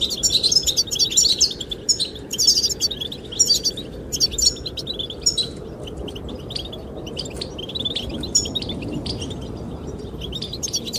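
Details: Chirping goldfinches sing to attract the female. Dense, sparkling twitters crowd the opening seconds, then sparser chirps follow, all over a rushing wind.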